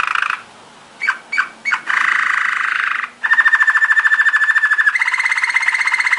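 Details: Belgian Waterslager (Malinois) song canary training song, soft and bubbly like rolling water: short notes, a steady buzzy trill, then fast rolling trills at two pitch levels.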